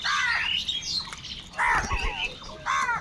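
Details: Huge numbers of crows fighting for food, giving harsh, squawking caws in short overlapping bursts with brief gaps, several birds calling at once, slightly rough and grating.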